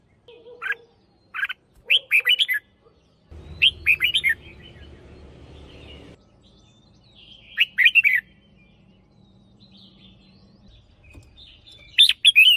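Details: Decoy red-whiskered bulbul of the hunting line gives short bursts of sweet, chirpy whistled notes in scattered phrases, with gaps between; a low mechanical hum runs through part of the recording.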